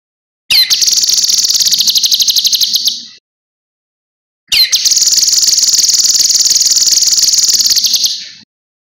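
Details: Master recording of a cucak kinoi for other birds to copy. Two long phrases are separated by a short silence. Each begins with a sharp falling sweep, then rolls into a rapid, evenly pulsed, high buzzy trill lasting two to four seconds.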